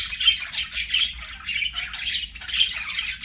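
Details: Budgerigars singing as they play: continuous grating warble of squawks and chirps, a few brief whistled tones threaded through, little pause between phrases.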